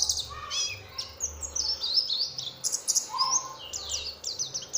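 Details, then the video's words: Oriental white-eye song played as a lure to provoke other white-eyes: a lively high-pitched warble of quick chirps and slurred whistles, running continuously, with a brief lower whistle near the end. "pancingan suara untuk pleci agar mau kluar isian"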